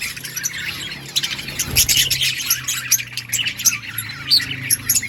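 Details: Budgerigars in an outdoor colony, a dense overlapping chatter of high, scratchy warbles and quick chirps from many birds with no pauses, over a low steady hum.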